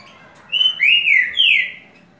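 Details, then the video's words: Green-winged saltator (trinca-ferro) singing the boiadeiro song type, called curricutil com boi: three loud, clear whistled phrases in about a second and a half, a level note, a slurred falling one, then a descending whistle, over a quiet background. "Trinca ferro Curricutil com boi"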